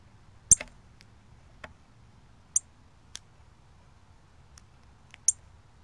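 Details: Cardinal call recorded October 24, 2020, a scattering of short, high, metallic chips at uneven intervals, three standing out loudest, with soft ticks in between and faint low background rumble.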